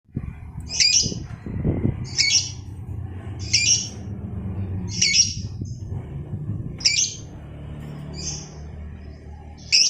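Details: Lovebird in a recording meant to lure and train other lovebirds into a long trill, or ngekek panjang. Harsh, buzzy squawks recur about every one and a half seconds, with a low rumbling background.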